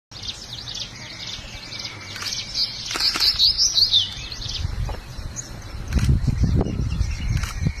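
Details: Crested bunting in India giving thin, high chips and a brief twittering run, over low rumbling background noise and a few knocks.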